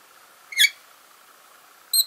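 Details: Cute sleep-talk of a pet masked lovebird, heard as one loud shrill squeak followed much later by a thin, clipped high peep.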